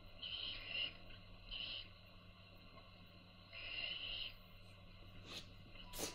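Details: Young owls being fed by their mother hiss in three rasping bursts, followed by a few sharp clicks and knocks.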